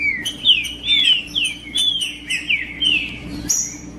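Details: Green-winged saltator (trinca-ferro) singing macheando to warm up another bird. A rapid run of bright, slurred whistles, each dipping in pitch, ends in a higher sharp note, over a soft low hum.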